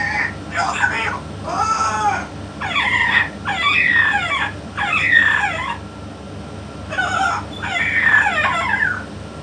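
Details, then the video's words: Yellow-naped amazon 'king' parrot talking with a parrot expert: six or so strong, throaty, voice-like phrases with sweeping harmonics, spaced about a second apart, steady hum beneath. "ببغاء الامزون اليلوناب الملك يتكلم"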